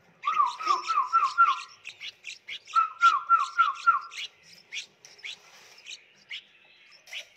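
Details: Red-whiskered bulbul chicks in a nursery box being hand-fed, begging: runs of quick, steady mid-pitched piping notes mixed with scattered sharp high chirps, growing sparser and quieter toward the end.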